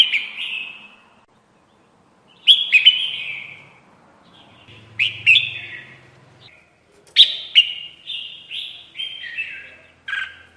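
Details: Red-whiskered bulbul call played as a lure for trapping: groups of sharp, slurred chirping phrases every two to three seconds, the last group a quick descending run of whistled notes.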